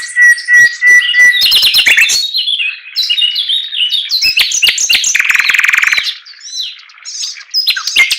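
Chinese Hwamei in loud, varied song: a clear whistled note, quick rising and falling phrases, then a dense buzzy trill, ending in more bright whistles.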